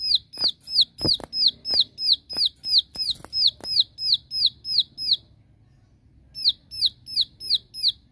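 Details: A Bar-winged prinia gives its aggressive challenge call to draw rivals: a fast series of sharp, high, down-slurred notes, about three a second, pausing briefly before resuming, with a few soft knocks early on.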